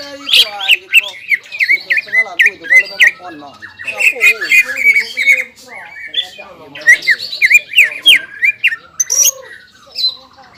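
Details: Caged greater green leafbird (cucak ijo) in full 'gacor' song with 'ngobra' and 'jamtrok' styles: a rapid, loud torrent of varied squawky, slurred and whistled notes, rising and falling, in bursts with brief pauses, indoors.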